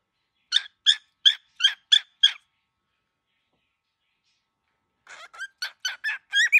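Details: Six evenly spaced, grating squawks from an angry baby cockatiel, then silence for nearly three seconds before another quicker, irregular burst of harsh calls.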